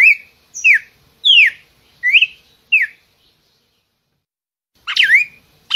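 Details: Song of the red-cowled cardinal: five ringing whistled notes, each swooping down or up, spaced under a second apart, then a short pause and a louder, rougher double note.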